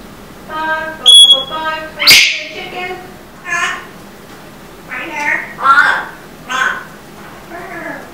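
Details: Pet African grey parrot, a female fond of pine nuts, talking after being told the nuts are all gone: a series of short, speech-like vocal phrases with harmonic vowel sounds and a sharp squeaky note, spaced about a second apart.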